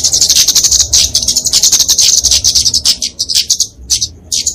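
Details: Fighting song of a kemade flowerpecker, used as a tutor and lure for small birds: a rapid, sizzling stream of high chips that breaks into shorter, sparser notes toward the end.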